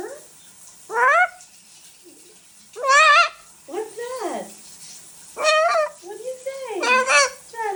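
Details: Chatty female pet macaw producing a run of about six loud, harmonic, rising-and-falling syllables with varied pitch contours, spaced one to two seconds apart, indoors with a little faint background noise.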